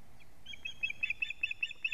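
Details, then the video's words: Sharp, high whistled cheeps repeated about every tenth of a second: osprey alarm calls from a Latvian nest camera as the male delivers a living fish, evening of 19 July 2017, 19:43. "Teo brings a living fish- alarm calling"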